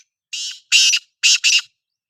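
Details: Black francolin call phrase: four strong, scratchy, grating notes in two pairs, the second pair run together, lasting just over a second; a clean recording with no background sound.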